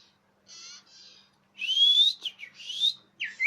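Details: Common iora calls used for luring birds, described as clear and loud: soft buzzy notes, then a loud rising whistle and quick slurred chirps, with a faint low hum underneath.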